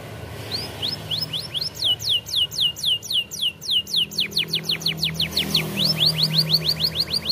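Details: Canary tutor song for young canaries: a steady, rhythmic trill of sweeping notes, about three per second, speeding up toward the end, with faint background hum.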